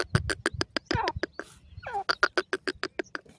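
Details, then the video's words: Dakhni silver and Bhuda teetar francolins calling: rapid trains of harsh, broadband clicking notes about seven per second, broken by a few rising and falling squealing slurs, with low rumbling in the background. "Dakhni Silver Jore and Bhuda Teeter sound"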